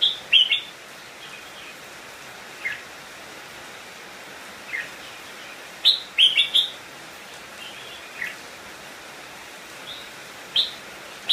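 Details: Decoy red-whiskered bulbul singing to bring wild birds in to fight: sharp, clipped whistled phrases in brief clusters, the loudest around six seconds, with fainter single notes between them.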